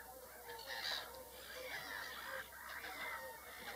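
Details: Whooper swans calling together, a steady overlapping chorus of nasal, honking notes with a bright ringing overtone, rising slightly in loudness near the one-second mark, with no other clear sounds.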